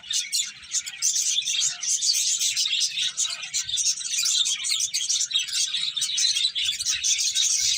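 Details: Several finches chirping while eating: a dense, continuous chatter of high, bright tweets and short trills overlapping throughout, with no clear pauses.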